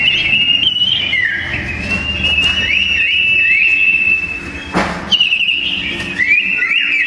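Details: Pair of sooty-headed bulbuls clashing in song for a bird-tutoring recording. Repeated short whistled phrases that each rise then dip, strung together almost continuously, with one sharp knock partway through.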